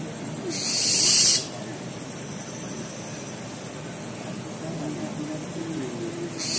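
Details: One harsh, breathy Barn owl (Tyto alba) screech lasting under a second, followed by low background murmur and the start of another rasp at the very end.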